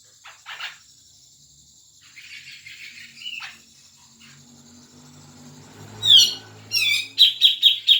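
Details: Sparse scratchy notes and a soft buzzy phrase lead into loud, sharp downslurred calls and a rapid set of ringing repeated notes from a grey-cheeked bulbul. Played to encourage a caged bird to sing.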